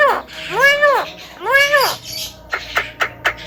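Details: Javan myna, a talking bird said to outdo a hill myna with its voice: two drawn-out, arched, nasal calls rich in harmonics, then four short sharp clicking notes in quick succession.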